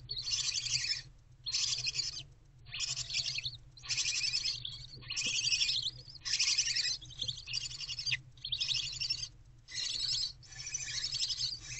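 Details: Barn owl owlets at night in a nest box, early morning of 11 February 2024, mother away on a break: harsh, breathy hissing screeches of about a second each, repeated roughly every second and a half with short gaps.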